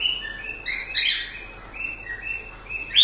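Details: Pet cockatiels giving a string of short whistled notes that step up and down, broken by a harsher chirp, over constant background hiss.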